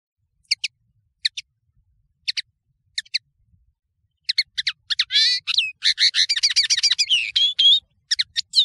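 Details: European serin, called nino in Algeria, in a clear training track: several isolated high double chips spaced about a second apart, then a long fast run of buzzy, jingling, tinkling song notes.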